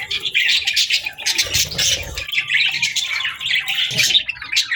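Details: In the morning, budgerigars keep up a lively chattering warble of rapid chirps, clicks and thin squeaks, with brief low thumps near the start.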